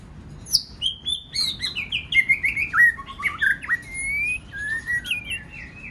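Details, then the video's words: White-rumped shama singing many voices to stimulate other shamas: a rich, continuous run of stepped whistles sliding up and down, ending in long level whistled notes. "Kích Chòe lửa hót nhiều giọng"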